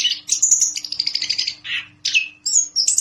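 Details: Orange-headed thrush in energetic song: a long buzzy trilled phrase, then a lower warbled note, a rising sharp whistle and squeaky high notes within three seconds.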